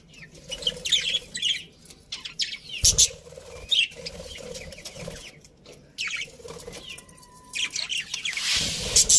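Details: Several happy budgerigars of a colony chirping in short high bursts, interrupted by rustling and wing flaps, ending with a loud noisy flurry.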